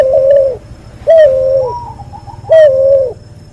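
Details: Cross of a white albino Barbary dove with a pelung dove, recorded as a tutor track: three deep, even coos, each about half a second and slightly falling at the end, with a thin higher wavering tone between.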